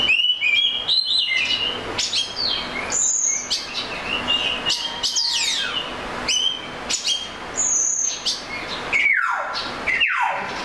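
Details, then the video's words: An Oriental magpie-robin sings a rich, varied stream of clear whistles, sharp upslurs and falling sweeps, with hardly a pause between phrases. "The Melodic Tunes of the Oriental Magpie Robin Bird"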